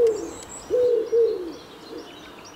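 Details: Common Wood Pigeon singing early in late winter (January), in mild weather at a forest edge near orchard meadows in Germany, cooing soft, low rhythmic "huhu" phrases at an even pace; faint high bird calls behind.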